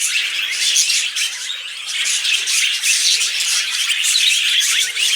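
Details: Male budgerigars flirting, pet birds chattering continuously in a dense stream of high, scratchy chirps and warbles with rapid short notes, several birds overlapping, no pauses.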